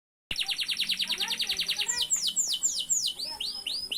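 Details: Canary in full, lively song: a fast even trill of short high notes, followed by slower loud downward-swooping whistles repeated about twice a second.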